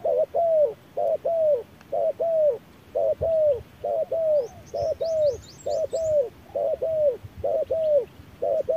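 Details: At midday in harsh sun, a wild spotted dove responds to a machine decoy with a steady run of mellow, falling double coos, about thirteen pairs in under nine seconds. Brief high chirps are heard partway through.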